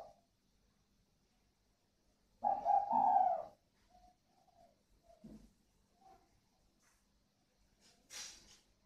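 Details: Spotted doves of the northern Vietnam còi vang and thổ xịn styles, a pair at a Ba Vì bird farm. One single husky coo phrase in the middle, with faint knocks and a brief noise near the end.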